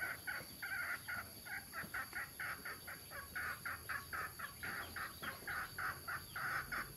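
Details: Several adult male and female mixed-breed red junglefowl in Udon Thani cluck together in short, hoarse notes, about four a second in an uneven stream, over a steady high background hum.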